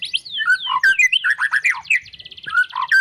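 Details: White-rumped shama described as a champion fighter, rattling off a rapid jumble of swooping whistles and lower fluty notes, followed by a fast trill and clear whistled endings.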